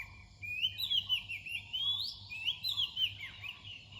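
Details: An Oriental magpie-robin sings close by near dawn, a continuous flow of sweet whistled notes, trills and rising and falling slurs, with a faint low hum underneath.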